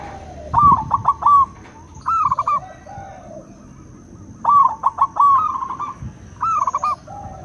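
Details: Local and crossbred zebra doves answering each other in clear alternation: clipped staccato notes leading into a rolling coo, repeated in two bursts about four seconds apart, with quieter answering coos in between.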